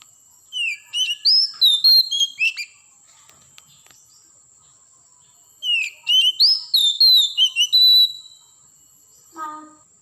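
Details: Wild Oriental magpie-robin from the forest singing two bursts of rich, varied whistled phrases, with sweet slurred notes and quick chirps separated by a pause, over a steady faint high-pitched background tone.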